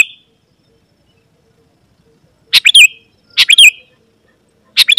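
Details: Sooty-headed bulbul, an actively singing bird used to call wild bulbuls closer. After a quiet pause come three quick two-part chirped phrases, each tailing off in a slurred downward whistle.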